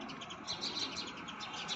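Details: Several house sparrows (goraiya) chirp in a busy, overlapping chatter of short bright notes in the morning on a green rooftop garden in India.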